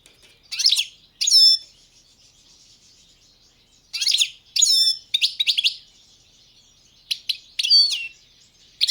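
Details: Balkan goldfinch (Carduelis carduelis balcanica) in a 2022 world song championship recording: scattered sharp chirps and short twittering bursts in irregular clusters, with silent gaps between.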